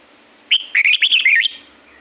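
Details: Red-whiskered bulbul singing wild in La-u forest: one short, loud warbled phrase of quick slurred whistles that rise and fall, lasting about a second, over quiet background.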